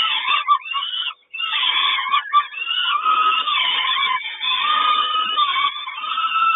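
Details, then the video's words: Peregrine falcon nest at Kawęczyn, 3 June 2022, with the mother bringing breakfast. Almost continuous harsh, wavering wailing rises and falls in pitch, with a single short break early on. "Sokół Kawęczyn Mama daje śniadanie"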